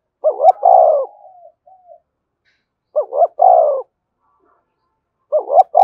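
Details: Spotted dove cooing to attract wild doves that answer and approach readily. Stuttering two-part coo followed by a drawn-out note, heard three times. One phrase trails into soft fading murmurs.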